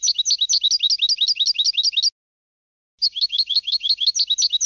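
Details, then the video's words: Training song of a European goldfinch for song competitions: two long phrases of rapid, jangling twittered notes about two seconds each, separated by a near one-second gap, with nothing else audible. "Canto del Jilguero 5 horas para educación de concurso"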